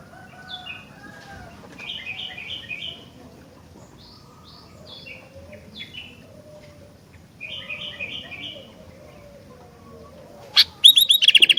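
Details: Sooty-headed bulbul song: groups of short, bright whistled notes that step downward in quick runs, repeated in bursts separated by pauses, ending with a sharp click and a fast, loud rattling trill.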